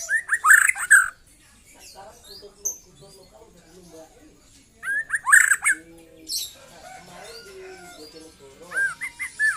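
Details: Young white-rumped shama delivering 'trotol' song: loud clusters of tumbling whistled notes mixed with harsh buzzy chatter, repeated at the start, midway and near the end, with softer warbling and clicks between bursts.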